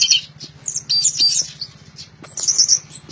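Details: Loud orange-headed thrush song, dense bursts of high whistles, trills and squeaky notes tumbling quickly, with a brief lull midway and a constant low hum beneath.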